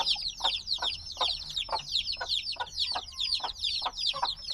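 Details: Black baby chicks, just days out of the egg and noisy, cheeping continuously: shrill falling notes in a dense chorus, punctuated by soft pecking-like knocks about every half second.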